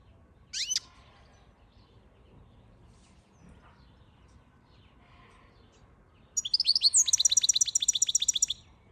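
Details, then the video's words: Goldfinch song: a single high sweeping note, a pause of quiet background, then a rapid run of bright, buzzy, evenly repeated notes lasting about two seconds. "Goldfinch song"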